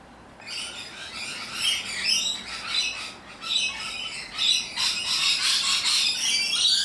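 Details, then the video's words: Rainbow lorikeets, boisterous Australian parrots, begin after a brief quiet and build into a continuous, uneven stream of piercing, scratchy squawks that grows louder and denser. "Loud and Obnoxious Parrots - Rainbow Lorikeets"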